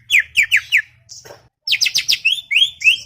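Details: Cucak ijo, the greater green leafbird, chattering in a garden. Quick bursts of falling chirps, a brief raspy pause, then dense rising and falling whistles.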